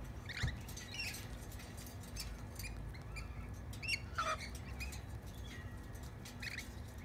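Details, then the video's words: Tame lorikeets that came over to feed on bread give short, sharp, screechy chirps in scattered bursts over a steady low rumble of background noise. "Lorikeets having bread"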